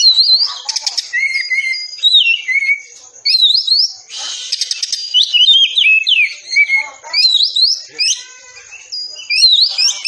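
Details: Oriental magpie-robin tembakan rapat masteran for caged birds: quick fluty upslurs, low drawn whistles and harsh buzzy bursts follow closely throughout, over a faint steady high tone.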